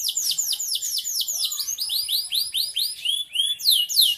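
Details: Canary singing continuously: fast high trills of curved, swooping notes repeated in quick series, changing to sharper descending sweeps near the end, with only faint low noise behind.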